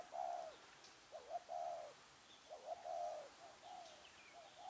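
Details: A spotted dove at a trapping site, a wild-caught bird four days in captivity, 10 December 2020, gives soft, low hooting coos in short grouped phrases, about three in under five seconds, with faint bird chirps behind; spotted dove.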